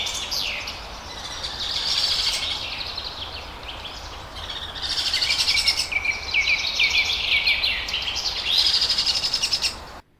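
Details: High, shrill squeaks and chattering from blue opaline pet lovebirds in Pakistan come in uneven bursts, dipping between waves of overlapping calls, then ending abruptly.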